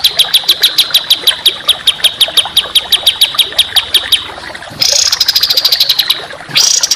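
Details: Training song for contest birds by a songbird, in rapid coarse style: a long run of crisp, regular high chips, then loud scratchy rattling bursts that break off and restart.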